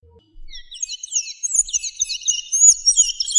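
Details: Sayaca tanager song from Argentina, offered as a recording for teaching captive birds: a dense, squeaky, high twittering of thin slurred notes that starts after a short pause and grows louder, with no other clear sounds.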